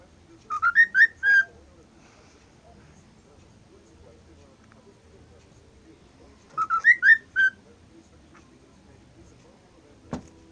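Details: Pet cockatiel that sings all day, copying a phone messaging notification: a quick run of four rising whistled notes, repeated once after about six seconds, with a click near the end.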